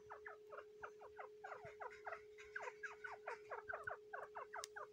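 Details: Grey francolin hen on the tenth day of brooding her eggs, defending the clutch with a fast string of sliding, chirped notes that grow louder toward the end, a constant hum underneath.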